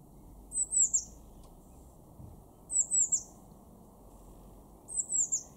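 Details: In a Weener garden, East Frisia, far northwestern Germany, during March 2024, a blue tit repeats short phrases of three high, sharp, downward-sliding notes, three phrases about two seconds apart, with soft low rumble.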